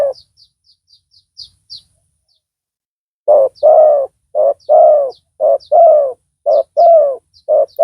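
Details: Spotted dove used as a loud-voiced decoy for luring rival doves; a lone coo, a pause with faint high chirps of small birds, then steady paired coos, a short note followed by a longer arched one, about once a second.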